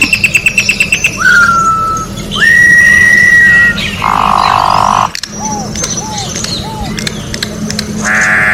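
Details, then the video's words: Wild orange-backed troupial singing outdoors, song meant for tutoring birds: quick chips, two long level whistles, a rough buzzy burst, then three short hooked notes and another harsh rasp, with a steady low hum behind. "Corrupião Cantando na Natureza melhor canto pra encarte Corrupião"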